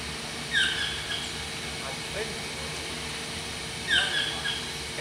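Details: Black-mandibled (Yellow-throated) toucan, Ramphastos ambiguus, singing: two loud, yelping calls about three seconds apart, each a brief harsh cry, with faint voices and a low hum behind.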